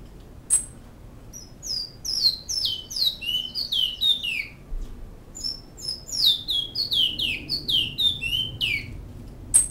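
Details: Great-billed seed finch (bicudo) singing in Canoas, song style called flauta: two bursts of clear whistled notes, each sliding downward and falling in pitch through the phrase, a short pause between them, quiet background.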